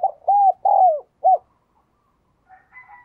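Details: Spotted dove used as a decoy bird, calling: a short coo phrase of four low hoarse notes, the third longest and sliding down, followed by silence and faint distant bird sounds.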